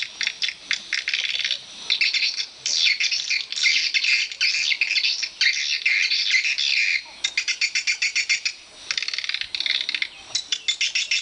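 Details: Swiftlets calling inside a swiftlet house: dense, high, buzzy chirps in rapid bursts, overlapping almost constantly, with a run of evenly spaced clicky pulses near the end.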